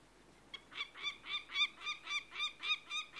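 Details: A peregrine falcon's harsh cackle, heard at a distance: evenly spaced rasping notes, close to four per second, over a soft background hiss.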